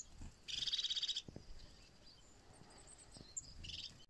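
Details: European crested tit in snow in wintertime gives a high, fast purring trill of about a dozen notes lasting under a second, then a brief second burst, over a faint low rumble.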